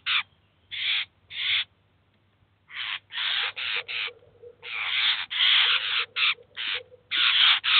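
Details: Eurasian jay with its chicks at a cheese feeder in 2019, giving rough, grating screeches in clustered bursts, some runs of four or five in quick succession, over a faint steady low hum.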